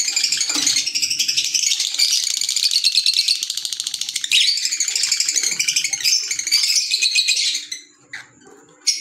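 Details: Green Fischer's lovebirds keep up continuous, shrill, high chattering with fast rattling chirps for nearly eight seconds, then go briefly quiet before one more sharp call.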